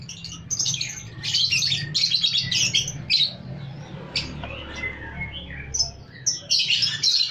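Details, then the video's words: Many lovebirds kept in a breeding warehouse: a dense chorus of shrill, high chirps and squeaky chatter in overlapping bursts, over a steady low mechanical hum. "Ini gudang love bird"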